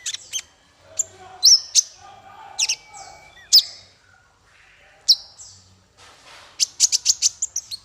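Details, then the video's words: Masteran bird song for small fighter birds. Spaced loud, high chips and whistled slurs, a short pause, then a fast rattling flurry of very high notes toward the end. "Masteran paling merdu untuk burung faigter kecil"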